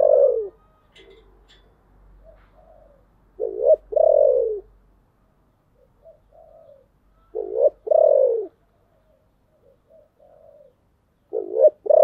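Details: Spotted dove used as a decoy to draw in wild birds, cooing in repeated phrases of two or three deep notes about every four seconds, with softer faint coos between phrases.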